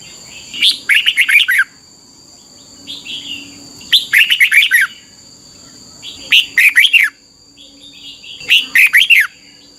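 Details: Red-whiskered bulbul song used as a training recording for young caged birds in Thailand: four phrases of quick, warbled whistles, each roughly a second long, repeated about every two and a half seconds, over a constant thin high-pitched hum.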